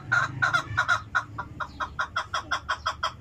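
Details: Chukar calling in a steady run of loud, harsh clucks, roughly three each second, evenly repeated throughout with little background noise.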